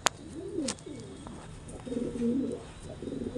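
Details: Pigeon during mating, with low throaty coos that swoop up and down, followed by a steadier, more sustained cooing phrase, and a couple of sharp clicks near the start.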